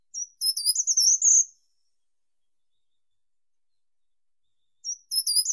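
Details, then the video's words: Short-toed treecreeper song: a brisk phrase of high, thin accelerating notes rising toward the end, followed after a pause of about three seconds by the start of another identical phrase; no other sounds. "Как поёт Пищуха короткопалая (Certhia brachydactyla)"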